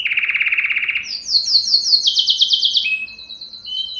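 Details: Canary singing to stir males and females for mating: a fast low rolling trill, then a bright higher pulsed trill, ending with thin sustained whistles.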